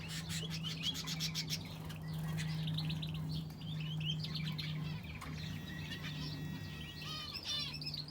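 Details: Several finches chirp in an aviary that also houses a canary. A quick burst of clicks and twitters opens, followed by scattered short tweets and a rising chirp near the end, over a low steady drone.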